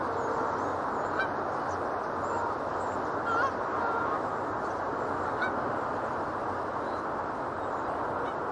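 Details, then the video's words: A dense flock of geese honks continuously in an overlapping chorus, with gulls calling among them. "Seagulls and Geese together"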